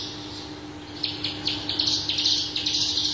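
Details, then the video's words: Horsfield's bush lark, subspecies parva, singing energetic 'full isian' song for bird training: a run of short, sharply falling high notes about four per second, then a busier, dense high chatter, with a faint constant hum beneath. "BRANJANGAN parva gacor dor full isian"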